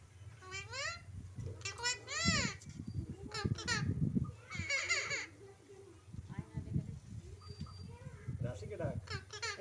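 An Alexandrine parakeet imitates human speech in short, nasal, voice-like phrases. A person talks in between, coaxing it to speak.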